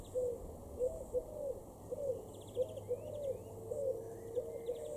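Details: Eurasian collared dove in a garden in Weener, East Frisia, northwest Germany, June 2021, cooing in low, soft, hollow notes about once a second, with faint high twittering and trills from small birds behind.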